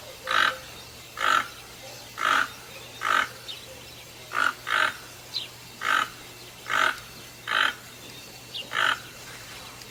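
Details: Toucan giving a long run of harsh, grunting croaks at close to one-second intervals, with a faint low hum beneath.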